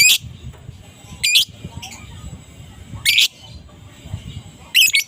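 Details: Adult fighter lovebird in the morning, meant to draw replies from silent lovebirds: isolated harsh, high squawks at irregular intervals of one to two seconds against faint low background noise.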